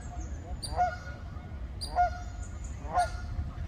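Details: Canada goose giving three short, clear nasal honks about one second apart over a low steady rumble.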